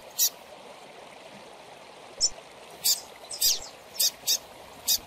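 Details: Young double-collared seedeater chick calling, played to stimulate captive birds: high, sharp cheeps, some doubled, coming in irregular bursts about twice a second over a soft background hiss.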